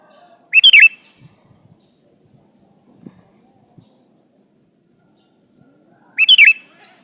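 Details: Male sooty-headed bulbul calling a female, repeating a short bubbling phrase of quick chirpy notes twice, about five and a half seconds apart, with a few faint taps between.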